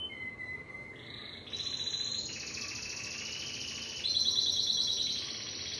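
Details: Timbrado canary song made of sustained rolling trills. Each trill holds one pitch and then jumps to a new level, climbing from a lower roll to brighter, higher rolls over about six seconds.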